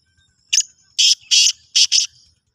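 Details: Black francolin calling; five loud, harsh, grating bursts: one short note, a pause, two longer rasping notes, then a quick closing pair, all within about two seconds against a quiet background.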